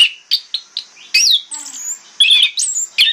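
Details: Orange-headed thrush singing in the morning as a lure to draw answers from other thrushes: a varied run of short high chirps, then sweeping whistles and a bright trilled phrase near the end.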